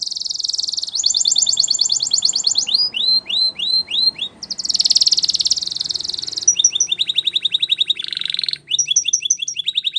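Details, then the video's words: Timbrado canary song for training, with metallic trills, repeated upsweeping whistles, a dense rolling passage, and runs of quick chips interrupted by a short lower buzzy phrase. "Canary Singing CHAMPION For Training | Spanish Timbrado Song"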